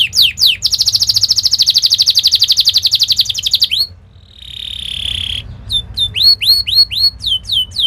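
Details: Canary training song for young canaries: a long, rapid buzzy trill, a short gap, a steady drawn-out note, then a string of sharp upward-sweeping whistles.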